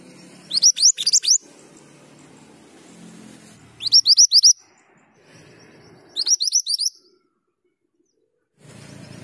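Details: Male Pied Bushchat singing actively: three quick bursts of high, sharp rising whistled notes, each burst about half a second of five or six slurred notes, separated by pauses of two to three seconds, over low background rumble.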